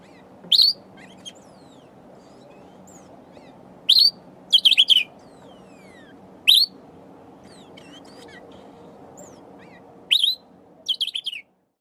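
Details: Sombre greenbul foraging for berries and singing to itself: scattered sharp high notes and brief chattering bursts separated by several seconds of quiet, with faint thin whistles between and a low steady hum.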